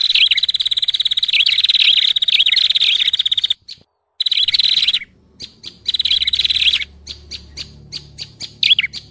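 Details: Prinia lure call meant to attract all prinia types: rapid, high, buzzy chirps about three to four per second in bursts, broken by short silences.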